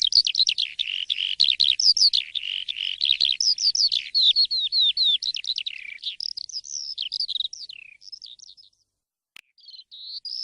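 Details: Persistent, loud morning singing from an Asian pied starling, starting as fast high chatter, then shifting to slower, varied whistled phrases before a short pause and a few final whistles.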